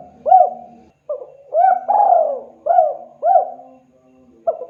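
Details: A spotted dove calling to other birds repeats soft low coos: hooked rising-falling notes, a long drawn descending coo, then two more hooked coos and the start of another phrase.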